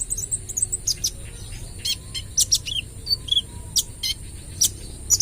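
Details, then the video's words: Sunbird of the local spotted 'kolibri ninja trotol' type, singing actively in a rapid-fire style, with the recording meant as a lure: sharp, high, thin chirps and short trills come in quick irregular bursts over a steady high whine and low hum. "KOLIBRI NINJA (Konin) Trotol Gacor Full Tembakan AK 47 - Cocok Buat Pancingan"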